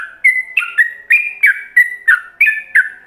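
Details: Master song of a yellow-vented bulbul in the ropelan style, meant for other bulbuls to learn. Quick, steady succession of bright whistled notes, each sliding from a higher to a lower tone, roughly three per second.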